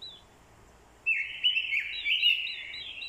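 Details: Orange-headed thrush, a decoy bird, in fighting song stirred by a female's call: after a second of quiet, a loud run of rich, warbling whistled phrases follows, varied and continuous, with faint squeaky notes heard briefly at the start.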